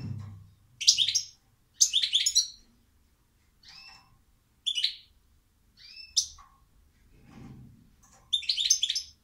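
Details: Goldfinch song given in separate short bursts: jangling, twittery clusters alternate with single clear, high notes and short rising chirps, with quiet gaps between phrases over nine seconds.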